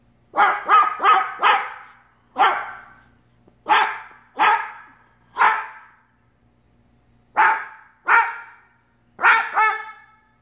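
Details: Pet umbrella cockatoo mimicking a dog, barking at the neighbour's dog: about a dozen harsh, bark-like yaps, some in quick runs of three or four, others spaced by short pauses.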